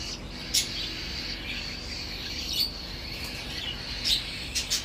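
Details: Baby cockatiels begging while their parents mouth-feed them: a continuous raspy, hissing high tone runs throughout, broken by short sharper squeaks at intervals.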